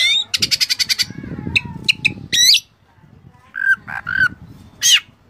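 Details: Kacer (Oriental magpie-robin) master recording full of varied fill-in phrases: a fast stuttering run of about eight harsh buzzy notes, then squawky bursts, a low whistled slide and a closing high sweep; low background rumble.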